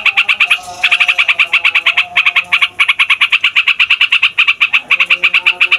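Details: Noisy fighter yellow-vented bulbul in a long rolling song meant to rile other songbirds: fast chains of sharp, ringing notes, interrupted by a few tiny gaps, then rolling on evenly.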